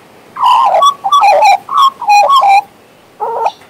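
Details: Warbling from a pet male Western Australian magpie: four loud, fluty phrases in quick succession, each wavering and slurring, then a short pause and a quieter, choppy, rattled note.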